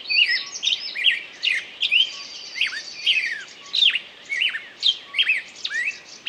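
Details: Chirpy bird song with looping, slurred whistles and short sharp tweets in quick succession, backed by a faint high trilling line.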